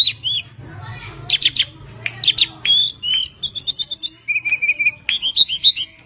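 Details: Kept tledekan gunung, a Javan songbird, singing busily to coax song from other birds: sharp high chirps and buzzy notes, then stuttering repeated high notes and a steady short whistle, with low hum in the background.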